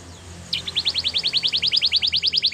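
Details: Belgian canary giving a steady trill of about twenty identical short rising notes in two seconds, with a faint low hum beneath.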